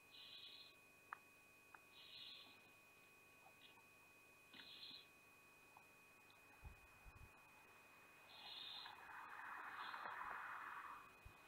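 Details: Barn owl family at Théding on 5 July 2021, with the mother pushing away her young; drawn-out hoarse hisses repeat every one to two seconds, followed by a broader rushing hiss near the end over a steady electronic tone.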